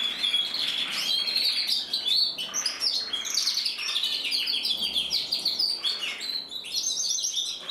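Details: Red mosaic isabel canary male from a breeding aviary, recorded in 2024, pours out a long unbroken song of rapid chattering trills, sharp chirps and rising whistles, all very high and bright.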